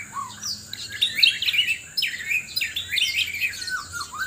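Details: ['Sabah, Borneo White-rumped shama calling for a mate in a loud contest: bright high whistles and quick twittering runs, two dense bursts after a low swooping note, with a thin steady background tone.']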